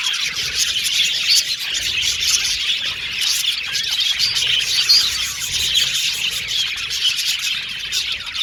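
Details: Australian budgies chirping happily, a busy flock sound of overlapping high twittering and chattering notes, steady and unbroken, with brief brighter whistles standing out.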